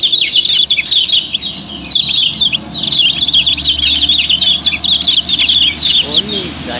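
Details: Lure singing of Lombok yellow-bellied prinia, a popular kept songbird: crowded, high, rapid chirping throughout, with a human voice coming in at the very end.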